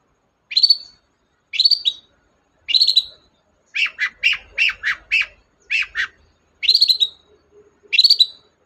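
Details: Long-tailed shrike in full song, played to coax a quiet bird into singing: clear hooked whistles repeated about once a second, broken by a rapid run of five chattering notes, then the hooked whistles resume.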